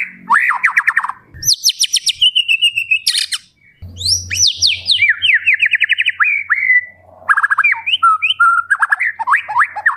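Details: White-rumped shama in full isian song, with complete fill-in phrases: rapid runs of sweeping whistles, sharp rising and falling slurs and fast chattering bursts, delivered loudly and continuously with short pauses between phrases.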